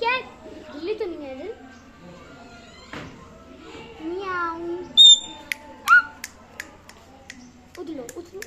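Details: A pet parrot talks indoors in short voice-like phrases with rising and falling inflections, then gives several sharp, very high whistled squeaks and clicks, followed by more mimicked speech.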